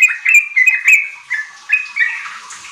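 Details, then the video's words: Brief run of sooty-headed bulbul song, a lure for young kept bulbuls to begin singing. A few clear, sliding whistles link into a bubbling phrase, then fade out into quiet. "Pancingan trucuk ampuh bikin trucukan bahan cepat riwik ropel gacor"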